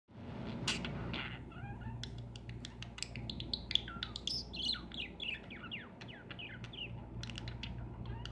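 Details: Caged lovebirds giving a busy stream of sharp, high chirps and short squeaky notes, some rising and some falling, packed closely together after a brief rougher opening sound, over a steady low hum.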